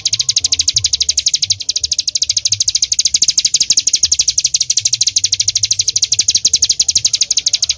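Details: Bar-winged prinia, mountain form, singing hard in full volley: a fast, loud, unbroken string of sharp high chips, about three per second, steady throughout with faint low rumble behind.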